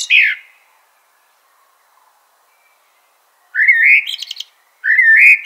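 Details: Eurasian blackbird song, a brief falling note, a silent gap, then two rich rising fluted phrases, the first trailing into a high chattering flourish.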